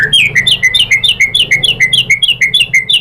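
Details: White-rumped shama lure song to provoke a reply: a steady fast series of about fifteen bright, downslurred whistled notes, evenly repeated several times per second.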